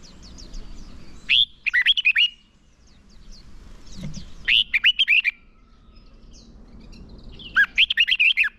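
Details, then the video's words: Red-whiskered bulbul decoy singing contest-style fighting song to draw wild birds and drill trained singers: three loud phrases of slurred, bouncing whistles roughly three seconds apart, with faint chirps in between. "Chào mào mồi hót đấu gọi bổi căng lửa, luyện chào mào sổ giọng hót đấu căng"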